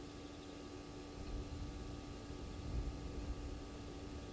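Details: Low rumbling engine-like noise with steady humming tones and no animal calls.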